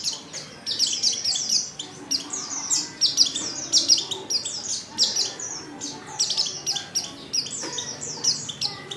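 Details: Oriental white-eye female calls meant to draw males into song, a busy run of high, sharp falling chirps in tight clusters, somewhat softer, over a low murmur of background noise.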